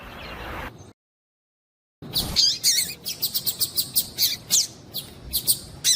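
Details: Calls of a female double-collared seedeater, used by breeders to get males singing: after a brief dropout, a quick irregular run of high, sharp chips, about three or four per second.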